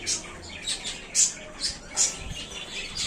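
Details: Caged budgerigars, said to be very happy in a new small cage, give bright, high, scratchy chirps in quick bursts, about one loud note every second or so, with soft twittering between.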